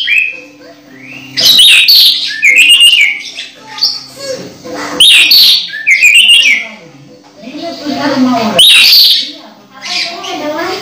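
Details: Orange-headed thrush nearing its moult, singing strongly: varied whistled phrases, some sliding and buzzy, delivered in loud bursts with brief gaps.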